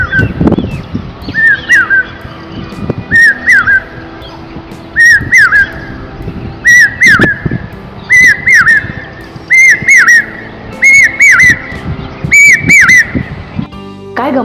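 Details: Common Hawk Cuckoo, whose calls mark the monsoon's arrival, gives shrill three-note "brain fever" whistles, about eight in a row, one every second and a half, climbing higher each repeat; bursts pause a minute then resume. Faint background murmur.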